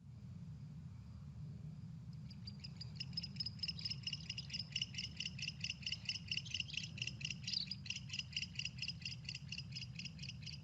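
Barn Owl giving a harsh, hissing rasp of rapid, buzzy pulses lasting about eight seconds, over a steady low hum.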